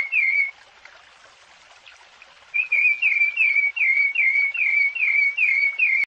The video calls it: cantos de sabiá-laranjeira piedade senhor